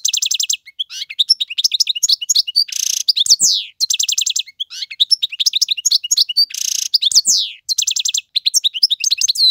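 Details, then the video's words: A male European goldfinch in full song for tutoring fledglings: repeated phrases of high twittering, metallic trills and a harsh buzz, recurring about every four seconds with tiny gaps. "اقوى تغاريد الحسون, مقنين فحل لتعليم الفراخ"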